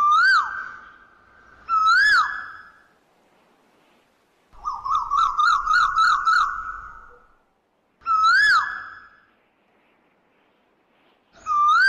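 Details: A koel gives rising whistled notes, breaks into a fast, even string of about eight repeated notes, then returns to single upward-sliding whistles. The background is otherwise quiet.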